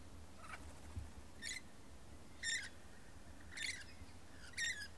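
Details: Lorikeet in a dominance display, giving five harsh, buzzy screeching bursts spaced about one second apart, each spreading from mid to very high pitch, over a quiet low background hum.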